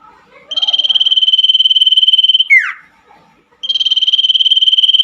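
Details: Night-time common iora song used to coax silent caged birds back into song: a two-second buzzy pulsed trill on one high pitch closing with a quick descending slur, then a pause and a fresh trill.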